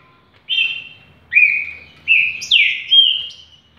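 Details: Green-winged saltator singing a series of four or five clear, level whistled notes, each held briefly, the later ones slurring downward, spaced under a second apart.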